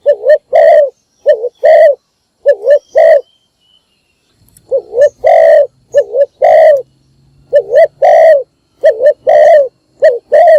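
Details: Morning calling of a decoy spotted dove used to bring in wild doves: repeated double coos, a quavering note leading into a fuller drawn-out coo, with a short pause midway and a faint low hum.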